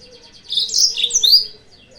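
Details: Yellow-fronted canary used as a lure to provoke rivals. One short, loud, tangled phrase of high chirps and upslurred whistles rises over soft twittering.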